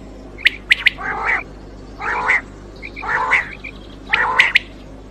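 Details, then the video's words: Quail (batair) for night hunting: a few sharp high clicks, then longer grating, buzzy calls spaced about a second apart, with faint softer high notes between and low hum throughout. "Quail Voice Sounds For Hunting Raat Ki liye Saaf Awazay Quail sounds Batair Ki Awaz"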